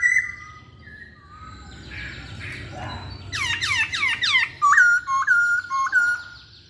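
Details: Energetic masked laughingthrush singing. Soft whistles lead into a quick series of loud, looping downward-curved notes, then evenly spaced flat whistles repeated about twice a second.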